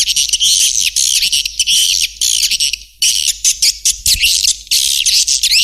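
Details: Swiftlet lure call played to attract birds, a dense, continuous stream of high buzzy chirps and twittering clicks with brief gaps, overlapping calls blending into a near-constant chatter.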